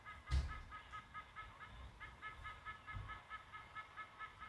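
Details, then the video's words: White-bellied sea eagle chick at its nest begging its mother for food, caught by a live nest camera on 5 August 2022: a quick, even run of about a dozen short, reedy, harmonic yelps, roughly three per second, after a soft thump. "OO MOM GIVE ME ). WHITE BELLIED SEA EAGLE."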